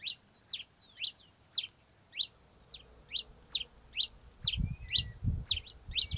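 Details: Red-crested finch (Coryphospingus cucullatus) song: high, sharp descending notes repeated about twice per second, steady throughout, with a few faint thin whistles between them; low thumping bursts join in the final seconds.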